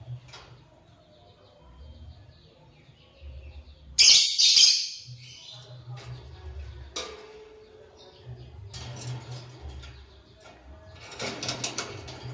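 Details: Lovebird chirping in the morning while eating corn. It gives scattered bursts of shrill, high, scratchy chirps, loudest around the middle, with quieter squeaks between them over a steady low hum.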